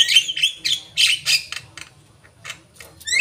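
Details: Asian pied starling song with loud harsh squawking phrases at the start, then softer scattered chips and clicks, ending with a sharp rising whistled note.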